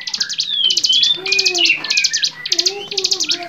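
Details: Bar-winged prinia song for training songbirds, lively and varied: rapid bursts of buzzy, pulsed chips in quick trills about half a second long, separated by brief pauses, with sliding whistles and a low whistled tone underneath.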